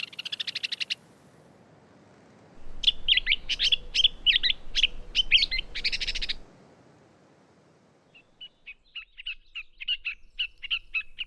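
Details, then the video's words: Gray catbird imitating a host of other species: a burst of rapid notes, a quiet gap, a fast stuttering run of varied chips, then a steady quick series of short repeated notes. "In contrast, this bird was giving really fine imitations of a whole host of different species."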